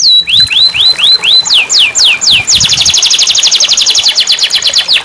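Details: Song of a canary, offered as therapy to make a silent canary sing again: upslurred whistles, then loud downward sweeps, then a rapid rattling trill of high, crisp repeated notes.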